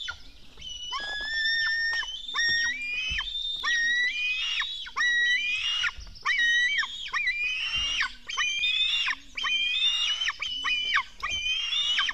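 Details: At a Latvian nest on 24 June 2016 at 04:53, black stork chicks being fed give a steady chorus of loud, rasping, wailing screeches. Many overlapping calls, each ending in a falling slur, go on almost without pause.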